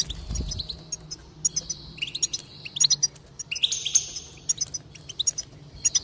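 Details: Goldfinch song meant to stimulate singing: fast, bright twittering with tinkling notes and a short buzzy burst, steady faint low hum below.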